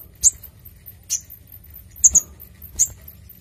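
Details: Brown-throated sunbird giving clear, sharp high chip notes for a lure and training recording: four bright notes, one doubled, spaced nearly a second apart over quiet background.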